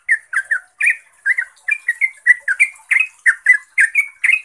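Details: Yellow-vented bulbul, known locally as trucuk, in lively ropel chattering song used as a lure to prompt other bulbuls to answer: quick bubbly notes near two kilohertz, rapidly repeated in short bursts, with a faint high hiss above.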